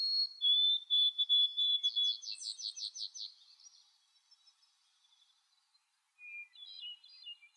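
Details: Boreal chickadee in the Maine boreal forest giving thin, high introductory notes, then a quick run of wheezy, buzzy notes. A faint, chattery call follows after a short pause.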